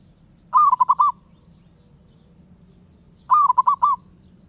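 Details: Restless wild zebra dove delivering two short, chuckling coo phrases of about five notes each, nearly three seconds apart, with faint low background noise.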